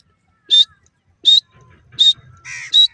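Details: Baby grey francolin, locally dakhni teetar, calling: sharp, high whistled peeps given singly and evenly spaced about every three quarters of a second, five in all, with a faint low rumble between them.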